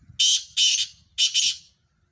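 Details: Three loud, rough, hissing-grating bursts from a black francolin, the last one doubled, delivered in just under two seconds with faint low noise beneath.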